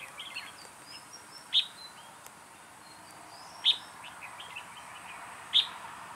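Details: Red-whiskered bulbul kept as a trapping decoy, recorded 2 October 2018. Three loud sharp whistled notes roughly two seconds apart, with thin high chirps and faint background calls in between.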